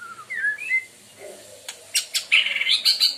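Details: White-rumped shama of the Medan type, a bird with a loud, melodious voice: a few short sliding whistles, a pause, then sharp clicks and a burst of harsh high chattering notes.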